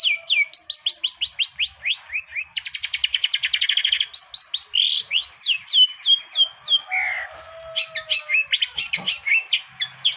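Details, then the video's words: Energetic Long-tailed shrike song: rapid strings of falling whistled notes, a sustained harsh rattling buzz lasting over a second, then more varied sharp chirps and slurred whistles in quick succession. "Burung pentet gacor"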